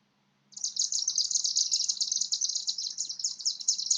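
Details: Chimney Swift flying high overhead gives a continuous, very high-pitched, buzzy twittering chatter with a crackly, electrical quality, starting abruptly and running without pause; a faint low hum underneath.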